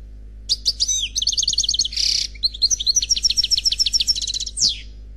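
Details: Khalwi-style song of a single, unpaired male European goldfinch from a CD: high tinkling notes and fast trills, a harsh buzzy burst near the start, then a long liquid twittering run ending in a descending buzz.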